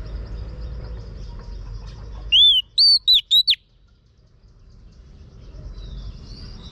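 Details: A female Oriental magpie-robin coaching a male to sing gives a burst of four ringing whistles, the first a drawn arch, the rest short, rapid and falling, set between stretches of low background rumble.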